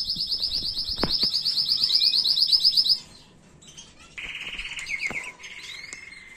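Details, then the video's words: Canary tutor song for chicks, recorded in 2022. A loud, very high rapid trill lasts about three seconds, then a short pause, then a lower rattling roll and a steady whistled note. "تغريد أصلي لطائر الكناري بدون أخطاء لتعليم الفراخ"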